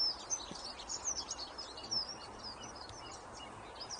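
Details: Sparrows at Green Lane allotments, Horbury, early morning, twittering in quick, high, thin chirps throughout, amid woodpigeons, magpies, chickens and a dunnock, with a steady hiss of outdoor background noise.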